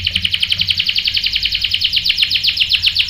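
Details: Canary singing to a female bait: a continuous rapid series of bright repeated notes, about four per second, steady in pitch and volume.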